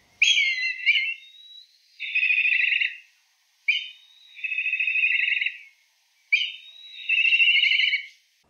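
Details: Yellow-billed kite (Milvus aegyptius) in Southern Africa gives three high whistled calls, each a sharp opening note followed by a long quavering trill, about every two and a half seconds.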